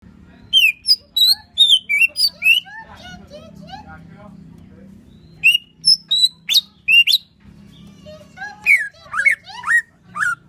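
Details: Greater green leafbird from Banyuwangi singing loud, varied whistled phrases of slurred rising and falling notes in bursts, pausing midway, then resuming with sharp high whistles and tumbling notes.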